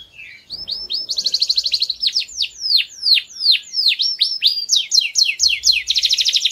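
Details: Canary song for training young birds: a low opening note, then a rising run of sharp repeated chirps turning into slower sweeping whistles, ending in a fast trill.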